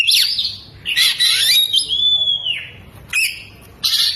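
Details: Oriental magpie-robin singing with its tail fanned, delivering lovebird-style mimicry: a scratchy chattering burst, then a long pure whistle that slides down, followed by short separated squawky bursts.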